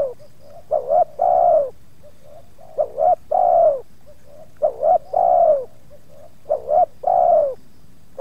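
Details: Spotted dove used to lure wild doves at Subang, with two wild birds drawn in and one resisting; soft hollow coo phrases, two quick clipped notes then a drawn-out descending coo, repeated steadily about three times.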